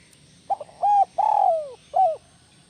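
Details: Tekukur or spotted dove of the kuk 1 style with a soaring voice, giving one full phrase: a brief lead-in note, a firm coo, a long drawn coo falling in pitch, then a single clipped final coo.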